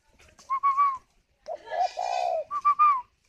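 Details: Captive spotted dove at a bird farm in Ba Vì, Hanoi, Vietnam, cooing while sitting on its eggs. Two phrases of short, soft, hollow notes, with a longer, lower, rougher murmur between them.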